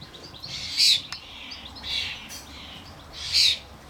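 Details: Common starling family, adults bringing fledglings to a garden feeder: three separate short, scratchy screeches roughly a second apart over quiet background.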